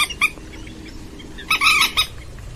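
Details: Purple swamphen trapping lure: a short, loud, harsh squawking burst with a fainter note before it, over a steady low background hiss.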